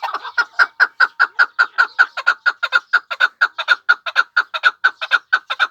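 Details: Chukar partridge from Pamir delivering a steady, rhythmic chuck-chuck series, about two clear clucking notes per second and closely matched in pitch throughout, with nothing else audible.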